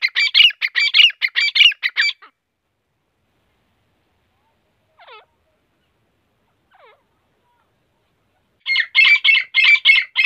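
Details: Grey francolin calling in the morning, giving loud, harsh, squeaky notes in rapid repeated bursts, two runs separated by a quiet pause with a couple of faint chirps.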